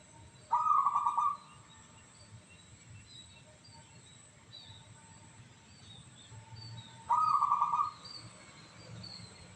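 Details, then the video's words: Two bright, beaded cooing phrases from a local zebra dove noted for its crystal voice, spaced about six seconds apart. Faint chirps from other birds and a low rumble sit in the background. "PERKUTUT LOKAL SUARA KRISTAL"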